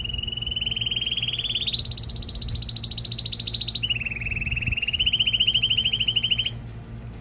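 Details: Male canary singing to stimulate a female for breeding and to teach chicks: long rolling trills, one steady tour stepping up to a higher rapid roll, then dropping to a lower rising trill, ending in a short high note.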